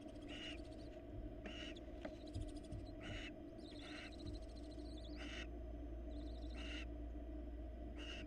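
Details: Barn owls at a Florida nest, a female having brought a rat to one of her young, then interacting with the male; harsh hissing screeches repeat roughly every second over a steady low hum.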